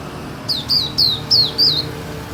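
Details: Pleci, a white-eye, on a terrace in Indonesia: five piercing, downward-slurred high notes in a steady series roughly every third of a second, set against quiet low-pitched background noise.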